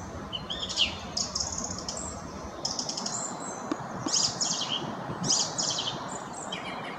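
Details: Singing song thrush (Turdus philomelos) delivering a string of sharp, high chirping phrases with brief pauses, some notes repeated, against steady low outdoor noise.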